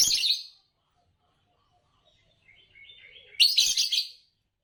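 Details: Two harsh, buzzy chirps from a green Fischer's lovebird, a champion of Indonesian bird song competitions, with soft twittering notes in the pause before the second chirp.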